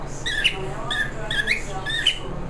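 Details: A pet cockatiel (Nymphicus hollandicus) chatters in short, nasal, speech-like syllables that rise and fall quickly, mimicking speech in a back-and-forth "conversation" with its owner.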